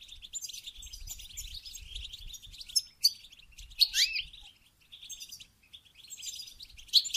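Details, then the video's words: Goldfinch song used to stimulate mating: steady thin, high twittering chatter with occasional sharp, bright notes and one downslurred whistle standing out. "Song And Stimulating Goldfinch To Mate"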